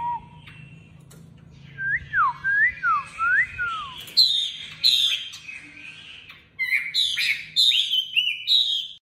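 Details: A caged Chinese hwamei in Hanoi, Vietnam, gives a run of clear, down-slurred whistles, then quicker, higher, ringing phrases, over a faint low hum.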